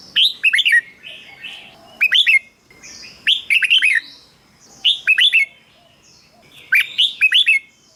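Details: Red-whiskered bulbul song played to stimulate caged birds: short bursts of three to five bright, slurred whistled notes, rising then dropping, repeated every one to two seconds with brief quiet gaps.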